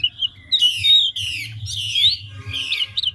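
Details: Chinese hwamei, big wild-caught adult bird, rapid varied song: a soft whistle, then four loud harsh buzzy phrases with bright sliding whistled notes woven in, over a low hum.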